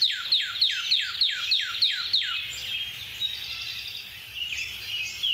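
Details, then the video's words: Northern Cardinal song played back, rendered as 'what cheer' or 'pretty, pretty, bird, bird, bird' and described as nasally and sonic: eight rapid downslurred whistles, about three per second, then a softer jumble of thinner notes. "So some people think that cardinals say, what cheer, what cheer?"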